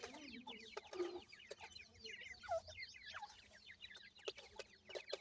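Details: Week-old grey francolin chicks peep steadily while feeding, their high, downslurred chirps crowding together; a low drawn-out note sounds early, then sharp clicks.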